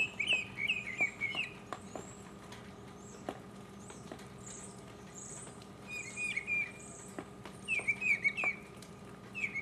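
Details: Solo mockingbird song from 2015, a cluster of quick repeated chirping phrases, then a quiet gap, then more bright phrases and short downslurs returning, over steady low background hum.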